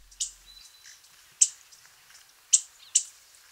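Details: A Black-and-white warbler (Mniotilta varia) gives its sharp chit call, used by both sexes: four high chit notes at uneven intervals over a few seconds, with a faint thin whistle from another bird early on.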